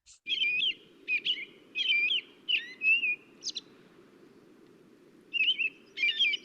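American Robin singing short caroling phrases of clear whistled notes, each rising and falling, delivered at a slow, steady pace without repeating, over a low background hum.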